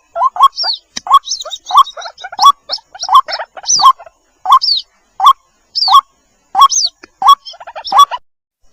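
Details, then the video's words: Calls of white-breasted waterhen chicks summoning their mother, for luring: separated short bursts of rising, throaty notes with high, arched squeaks, roughly every half to one second, with silence between them. "SUARA PIKAT BURUNG RUAK RUAK //SUARA ANAKKAN MEMANGGIL INDUK!!"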